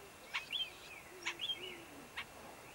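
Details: Elliot's laughingthrush north of Xining, Qinghai, China, 2005: three sharp notes about a second apart, each followed by short, high whistles, with a lower soft whistle in the background.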